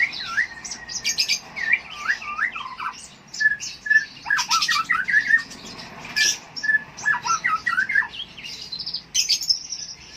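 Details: Konin lovebird from Jambi, Indonesia, singing a long chattering song of high squeaky chirps, short rising and falling slurred notes and quick buzzy bursts, delivered in uneven clusters with brief gaps.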